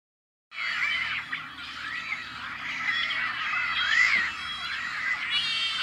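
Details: Rare Tricolored Blackbirds in a nesting colony on farmland in California's Central Valley, May 2012: a dense, continuous chorus of harsh, nasal, twanging calls, with many birds overlapping and rising and falling slurs. It begins after a brief silence.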